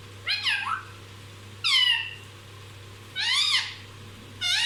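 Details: Talkative pet parrot producing four loud, bright, arched harmonic squawks, roughly one every one and a half seconds, against a steady low-pitched background hum.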